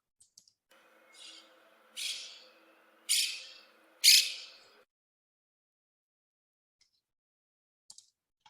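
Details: A non-native Monk Parakeet seen from an apartment window in Catalunya gives four harsh, grating screeches about a second apart, each louder than the last, followed by a few faint ticks.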